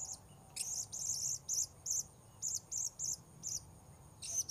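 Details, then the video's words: Wild-bird luring of the Blue-crowned hanging parrot (serindit) at a new spot. A dense run of about a dozen piercing high chips at fairly even spacing over a continuous high insect hum. "Memikat Serindit"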